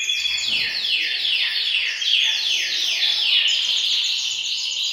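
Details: Canaries singing together in a bird room, a chorus used to push males into song and prepare females for mating; a series of rapid descending rolls repeated about twice per second, then a steady high trill.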